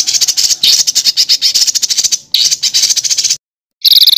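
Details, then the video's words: Songbird master recording meant for training contest birds, with rough rolling material: dense, harsh, high trills in two long bursts, then a brief silence and a clear higher chirping phrase. "BURUNG MASTERAN KASARAN NGEROLL"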